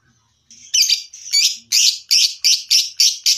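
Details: Champion lovebird mastering sound for contest training: a soft, hoarse start, then loud, high, harsh chirps repeated about three times a second in a steady series.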